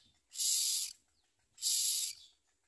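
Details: Baby common mynas at the nest beside the mother, taking little food and biting at her; two strong, hoarse hissing rasps a little over a second apart.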